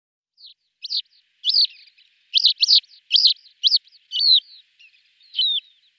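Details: Male lesser short-toed lark (Calandrella rufescens) calling and singing in flight, including mimicry: a quick run of dry, chirpy high notes, about two per second, with buzzy twitters and mimicked phrases; nothing else heard.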